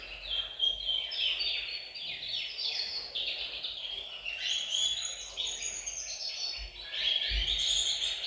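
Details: Group of caged canaries in a bird room singing to stimulate males and prepare females for breeding; soft, fast descending trills and sustained high whistles overlap, with a few low thumps near the end.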